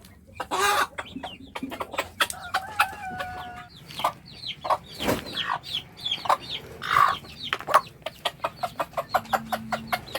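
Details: A mother hen calls her chicks to eat with clucks, while many chicks peep constantly in a busy cluster of short sharp calls.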